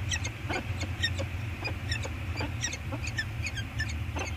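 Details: A pair of peregrine falcons, female and male, trade short harsh chipping notes, one or two a second, at their eyrie scrape on Anacapa Island, 8 September 2022, over a steady low roar of wind and surf.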